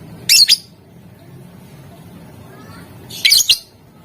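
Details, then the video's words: A lovebird in full song, in the ngetik and ngekek styles, aimed at making rivals respond; two bursts of grating, high chattering squawks sit about three seconds apart, with quiet low noise in between. "Suara Lovebird Gacor Memancing Emosi Lawan, Bikin Lawan Langsung Nyaut, Gacor, Ngetik, ngekek"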